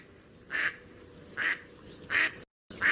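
A mallard gives four short, raspy quacks, spaced roughly three-quarters of a second apart, over a quiet, low background hiss.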